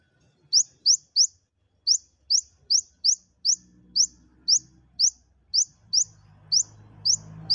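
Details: Olive-backed sunbird, a kept bird, singing to stimulate other birds to sing: sharp, high, slurred chirps repeated roughly twice a second in a steady series, with soft low rumbling and background noise underneath.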